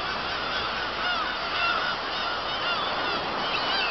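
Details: Kabushima colony of black-tailed gulls, 2 August 2012, following fireworks: a dense chorus of nasal, slurred mewing cries from many birds at once, with no pause in the steady din.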